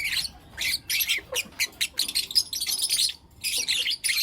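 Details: Morning chirping from four lutino lovebird youngsters: rapid, harsh twittering notes in quick clusters, with a short pause near the end.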